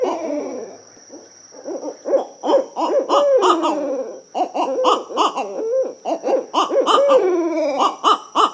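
Barred Owl giving a rapid run of throaty hoots with sliding, wavering notes, about three per second, over a faint steady high-pitched whine.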